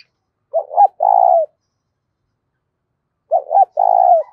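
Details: Spotted dove cooing loudly and clearly, used to stir up decoy doves: two short hooting notes then a long purring coo, the phrase repeated about three seconds later against a quiet background.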